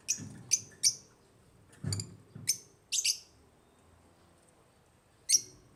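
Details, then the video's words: African lovebirds giving high, clipped chirps spaced irregularly, in pairs and singly, with quiet gaps between and soft low thumps beneath some calls. "AFRICAN LOVEBIRDS CHIRPING SOUNDS"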